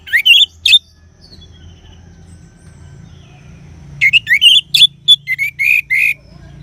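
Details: Orange-headed thrush song in two bursts: a pair of sharp rising whistles, a quiet gap with low background hum, then a quick run of varied whistled and slurred notes around the upper-middle range.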